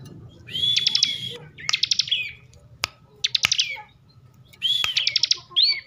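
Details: Bar-winged prinia kept in Slawi, Tegal, Central Java, singing ngebren style: three groups of fast rattling notes over short whistles, separated by pauses, with several sharp clicks in between.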